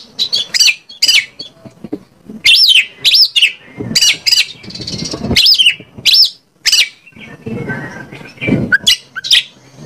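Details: Oriental magpie-robin song used as a lure to provoke other magpie-robins into singing: loud, bright whistled phrases with sharp rising and falling notes in quick bursts, brief gaps between them, and a low murmur underneath.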